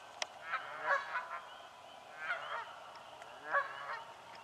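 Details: Several Canada geese in a swamp honk loudly while fighting for nesting spots, giving clustered harsh, nasal double and triple honks in three bursts, with soft high chirping in the background.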